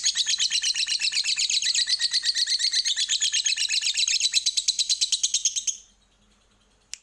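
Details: Lovebird in long, non-stop chattering song, used as a lure recording to make other birds sing: nearly six seconds of rapid, buzzy, repeated shrill notes at a fast even pulse, ending abruptly, then silence and one faint click.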